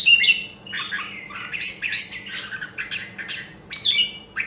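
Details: Caged Nam Đông, Huế red-whiskered bulbul trained to sing fighting song gives a continuous jumble of squeaky whistles and harsh chatter, fairly soft, with sharp clicks and a low background hum.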